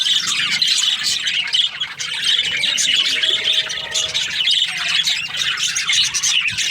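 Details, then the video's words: Several budgerigars chirping in breeding season, an unbroken high-pitched chorus of trills, short squeaks and busy warbles at an even loudness throughout. "Happy budgies chirping sounds | breeding season"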